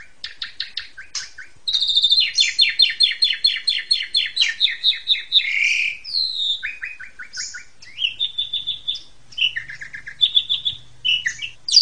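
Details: Asian pied starling therapy song meant to train caged birds: varied fast chattering phrases, whistled high notes, harsh slurred bursts and trilled sequences switching pattern every second or two, with a faint low hum near the end.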